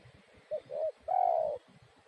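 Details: Spotted dove cooing: a short low note, a slightly longer one, then a long drawn-out coo, soft and hollow, over faint background noise.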